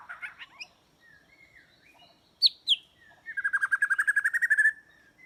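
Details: White-rumped shama singing as a trap lure: soft warbled notes and gliding whistles, two sharp high notes, then a rapid rattling trill of about twenty quick repeated notes lasting over a second.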